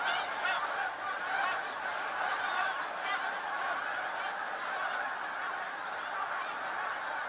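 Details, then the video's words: Massed snow geese, huge flock, February 2013: a constant din of overlapping yelping honks, slightly softer here, with individual calls barely separable within the crowd noise. "Attack of the snow geese!"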